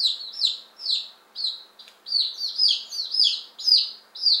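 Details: Fifteen one-day-old chicks, ten Appenzeller Spitzhauben and five White Crested Blue Polish, just arrived on May 19 2015; high, downward-sliding peeps from several chicks overlap, coming roughly twice a second with a faint hiss beneath.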